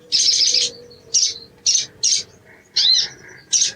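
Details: Green-plumaged crimson sunbird (sogon ijoan) for song training: a rapid stuttered high chirp, then five separate sharp, harsh high notes spaced about half a second apart, with a faint steady low tone.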